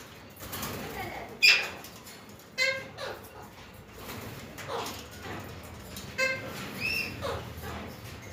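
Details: Alexandrine parakeets gathering as a group: harsh, nasal squawks rich in overtones, about seven calls scattered irregularly across eight seconds, some clipped and abrupt, others drawn out and slurred, over a faint steady hiss.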